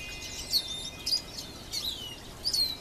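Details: A goldfinch singing in a tree gives high, thin twittering phrases, short tinkling bursts about every half second to second, over a faint steady hiss.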